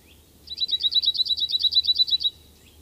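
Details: A cirl bunting (Emberiza cirlus) sings a dry, rattling trill of about seventeen identical high notes, rapid and even, lasting under two seconds, over a faint low hum.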